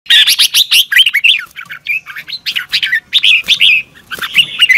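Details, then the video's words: Red-whiskered bulbul singing in the morning in a fast, fired-up double-twisting style used to train other birds: dense run of bright warbled, bubbling notes rising and falling, with brief pauses between phrase groups. "Luyện chào mào hót sáng 2022 - Hót hay nhanh căng lửa | Ép bổi Giọng xoắn kép"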